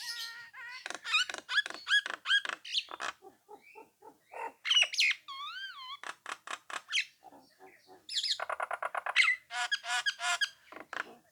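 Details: Nias hill myna in full song, used to provoke rival birds into answering and singing along: a varied run of loud whistles, harsh squawks and clicks, including a clear wavering whistle, rapid repeated notes, and a buzzy trilled burst near the end.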